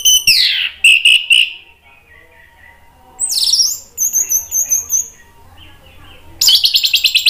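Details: An orange-headed thrush in full song, played as a lure to make other birds sing, gives loud, varied phrases: harsh buzzy bursts, sweeping high whistles and quick runs of clipped repeated notes, over a faint low hum.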